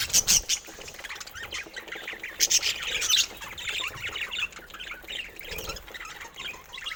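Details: Colour-mutation budgerigars mix loud sharp squawks at the start with ongoing soft warbling and clicking chatter, a few nasal squeaks standing out later.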